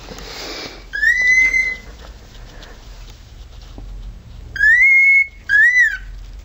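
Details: Male pet cockatiel imitating a siren indoors: loud, pure whistled notes that rise and then hold level. One long whistle is followed after a pause by two more in quick succession, the last arching up and down.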